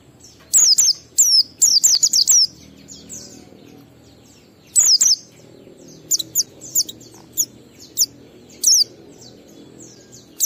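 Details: Oriental white-eye 'ngalas' song, used to coax kept birds into singing: quick bursts of high, sharply descending whistled notes, clustered at the start and middle, with scattered thinner chirps between.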